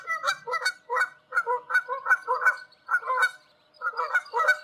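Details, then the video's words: Wild Canada geese calling in flight high above open country in Canada: loud nasal honks in quick overlapping runs, several birds, a brief pause near three and a half seconds before the honking resumes. "Canada goose sounds in large space somewhere in Canada. Wild goose call in flight."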